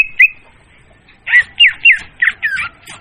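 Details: Leafbird lure song for trapping, loud and clear: a short whistle and chirp, a second of quiet, then a burst of rapid, slurred squawky notes.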